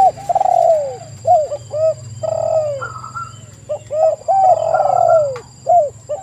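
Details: A group of spotted doves, used as a lure recording, trade repeated coos: stuttered rattling openings, long falling notes and short curled calls in quick succession, over a steady low drone.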